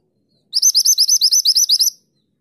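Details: Lively mantenan gunung song used as a master for training songbirds: a clean, fast series of about twelve piercing, high 'tulit' notes lasting around a second and a half, with no background noise.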